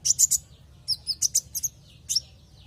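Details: Lure recording of a kolibri ninja sunbird to prompt singing: rapid clusters of very high, bright chirps in quick bursts of two or three, then a lone sharp note, faint hum beneath.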